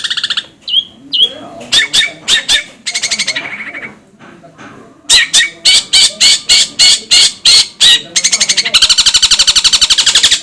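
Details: Long-tailed shrike song used as training material for birds: a brief whistled note, then long runs of fast, buzzy, pulsed chatter, ending in a continuous harsh rattle.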